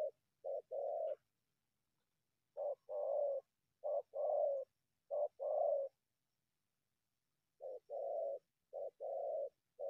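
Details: Low paired coos from a wild spotted dove that emerges from bushes to go for a decoy bird; short notes followed by longer ones, in bursts separated by a long silent pause.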